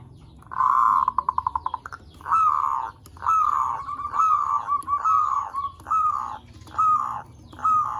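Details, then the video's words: Zebra dove song used as a lure to stimulate other zebra doves into singing: a rapid stuttering trill opens, followed by a series of short, rising, cooing notes repeated roughly every 0.7 seconds. "Suara Perkutut Pikat Gacor AMPUH pancingan SEMUA BURUNG PERKUTUT BAHAN AGAR SEMAKIN BUNYI GACOR"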